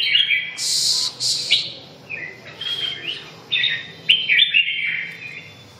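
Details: Red-whiskered bulbul song of lively, liquid warbled phrases, with a couple of hissing bursts near the start and a series of bright rising notes later.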